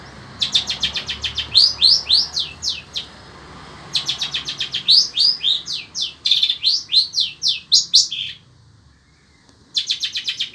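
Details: Long-tailed shrike, sembur type, singing without pause in heat like a desert: rapid high chattering trills mixed with quick downward-sweeping whistles in long phrases, a short silence, then the chatter resumes.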